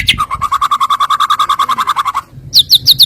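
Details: White-rumped shama lure song of filler phrases, meant to provoke rival birds into singing: a fast run of about twenty even, mid-pitched notes, then a pause and a series of sharp high chirps.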